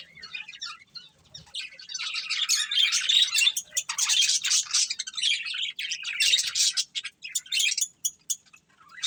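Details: Caged budgerigar pair kept for breeding; soft scattered chirps build into a long run of fast, busy warbling chatter, then break into quick separate chirps.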